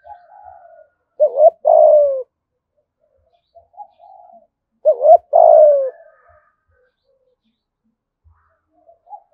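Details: Spotted dove, Dong Nai, Vietnam, calling 'thúc gù' in 'thổ' voice: two phrases about four seconds apart, each a quick double note and a long falling coo, with quiet soft notes between.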